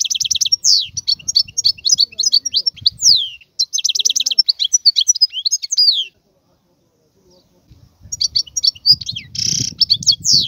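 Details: Two bursts of wild European goldfinch song, bright twittering and trilled phrases with falling slurs, separated by a pause of about two seconds, then resuming with a harsh buzzy note.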